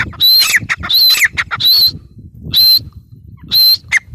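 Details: Grey francolin, the teetar, uttering harsh shrieking notes, three close together and then two more spaced about a second apart, each strained and high with a brief falling tail; faint low background hum.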